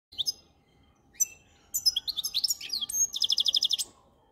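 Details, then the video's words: Goldfinch singing: scattered high chirps, then a quick run of twittering notes ending in a fast, even trill of repeated buzzy notes; no other sounds stand out. "Best Goldfinch song"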